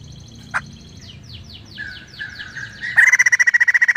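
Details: White-crested laughingthrush in full, lively song: a run of falling whistled slurs, then a steady trill of rapid ringing notes repeated about four times a second, bright and loud.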